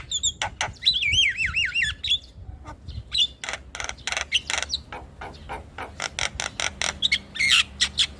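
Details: Starling singing, played to stir quiet caged starlings into song: a rapid wavering warbled whistle rising and falling, followed by a long run of dry clicks and rattling notes, ending in sharp squeaky whistles.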